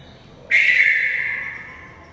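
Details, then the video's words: A red-vented bulbul indoors, flying within a house, gives a single sudden harsh note that starts abruptly and trails off slowly as it echoes off the room's walls. "Flying bird inside house | Redvented Bulbul"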